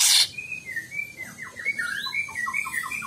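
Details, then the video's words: Greater green leafbird kept for training pet birds, singing a varied run of slurred whistles and short chirps, with a brief harsh burst at the very start. "masteran C, ijo bahan masteran"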